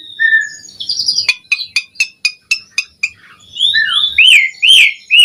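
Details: Asian pied starling in full song, used as a lure and master audio for starlings: whistled notes, then about eight sharp clicking notes evenly spaced, ending in loud rising and falling whistles.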